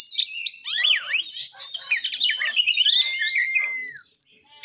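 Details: White-rumped shama, a kacer, singing to excite rival shamas into song and fighting: dense tumbling whistles and zigzag trills, then a long flat whistle and a high rising note.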